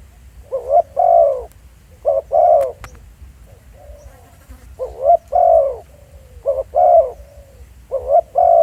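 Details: Spotted dove recorded live as a decoy at Pha Sing, Thailand: a rhythmic series of cooing phrases. Quick paired rising notes each lead into a fuller husky coo, repeated about every 1.5 to 2 seconds, with faint clicks in the background.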